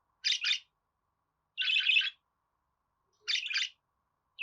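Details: Budgerigar calling with three raspy, double-noted chirp bursts separated by pauses of over a second, plus the start of a fourth.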